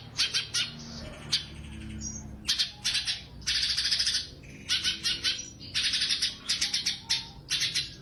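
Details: Competition-training recording of a Sumatran leafbird in 'tembakan' song: clusters of crisp, high chirps, one longer buzzy rattle, and quick repeated phrases separated by brief silences.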